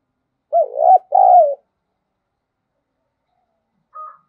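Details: Spotted dove used as a calling lure, 'giọng thổ' voice: a loud two-note coo, the first note bending up and down and the second held and falling, then a short softer sound after a pause.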